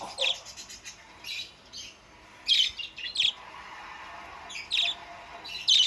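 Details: Budgerigar starting to sing actively, giving bursts of high, scratchy chirps and warbles in short clusters, with louder sharp notes every second or two.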